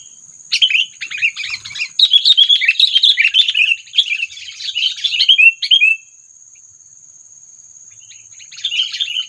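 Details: Sooty-headed bulbul trapping lure call meant to provoke predators: several seconds of rapid, bubbly chattering notes, a pause, then a shorter chirped burst, over a steady high whine.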